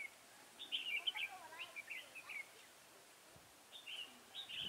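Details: Red-whiskered bulbul singing as a trap decoy to attract rival birds, 23 October 2017; lively warbling phrases of whistled, up-and-down notes, one long burst followed by a pause and two shorter phrases, light background hiss.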